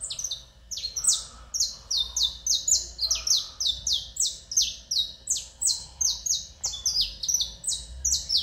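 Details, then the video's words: Domestic canary, a captive bird kept by a breeder, singing a rapid series of bright, high, downward-sliding notes, repeated about three times per second in a steady rolling stream, with low background hum. "CANARIO DO REINO cantoria LINDA"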